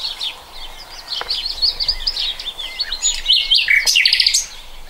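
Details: Common nightingale singing in 2020, a varied flow of high whistles and chirps growing louder toward the end with fast, piercing notes.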